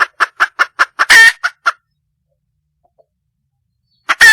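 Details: Wild junglefowl hen seeking a mate, giving rapid evenly spaced clucks broken by a loud raspy squawk, a pause of silence, then another harsh squawk.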